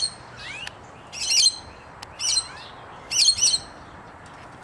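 Bearded barbet giving harsh, rasping bursts about once a second, with a couple of faint rising whistles between them.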